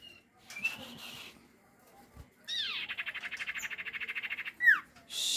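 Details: Common iora played as a night-time lure so wild birds answer: after faint thin notes comes a dry, buzzy rattle of rapid pulses lasting about two seconds, closed by a sharp downslurred chirp over a soft background hiss.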